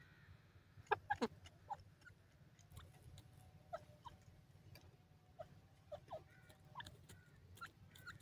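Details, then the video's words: A male and female francolin (teetar) call together, described as a conversation, among lush greenery: short, harsh clucking notes scattered irregularly over a steady low rumble. "francolin bird teetar madi k sath awaz,partridge ke boli"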